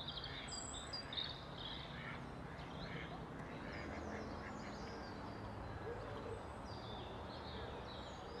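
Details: Mallard ducks, a female among them, recorded on 31 March 2021; rough quacking calls sound amid a busy chorus of high, chirping songbirds, over a steady low rumble of background noise.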